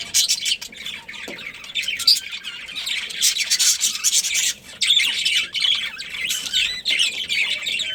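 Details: A colony of budgerigars chattering nonstop, with a dense, raspy warble of high chirps from many birds that barely pauses.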